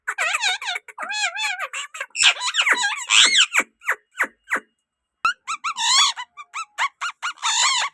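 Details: Rose-ringed parakeet talking in a sweet voice: bursts of squeaky, wavering, speech-like notes with rich overtones, a brief silence midway, then more chattering phrases.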